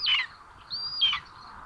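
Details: Common Buzzard chick in a Hungarian nest at Tiszalök, June 8, 2022, as two young share food: a short squeal, then a level high whistle ending in a brief downward slur.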